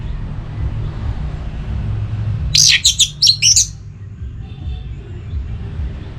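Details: Orange-headed thrush, aroused for breeding and calling a rival, gives one short burst of very high, rapid chattering notes over a steady broad background hiss.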